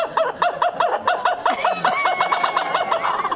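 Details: A kookaburra, an Aussie icon with a famous call, brought into a studio, gives a rapid run of hoarse, cackling notes, about five per second, with studio voices and murmuring in the background.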